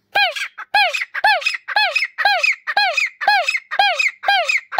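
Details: A wild local grey francolin gives loud, ringing, slightly nasal call notes that arch up then drop, repeated steadily about twice a second with no pause.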